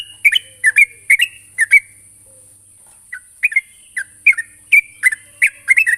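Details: Sooty-headed bulbul calling a rival: short bright chirped notes around mid-high pitch, given in paired bursts with a pause near the middle, plus a steady high hiss throughout.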